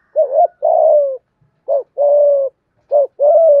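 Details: Spotted dove singing in 'giọng hạp bổi' style to rouse other doves: three paired phrases, each a brief bent note followed by a long steady mellow coo, repeated about every second and a half.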